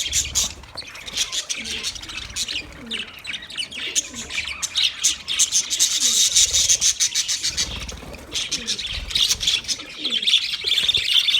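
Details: Budgies chirping to comfort a lonely bird: loud, fast, scratchy warbling and rapid tweets pour out almost continuously, rising into dense high chatter midway, with quick irregular notes throughout.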